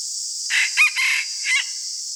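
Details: Morning crow of a red junglefowl used as a decoy: a single rough, clipped crow of about four parts with a brief pause before the final note, over constant shrill insect buzzing.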